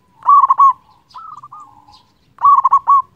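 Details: Local zebra dove, a loud-voiced singer used to stimulate other birds: a loud pulsed rolling coo, a softer trilled coo, then another loud rolling burst.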